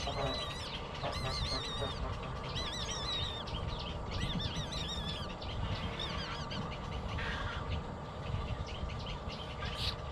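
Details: Baby bird begging for food until it falls asleep: thin, rising-and-falling high squeaky cries repeated in quick runs, several overlapping, over a constant loud low rumbling background noise.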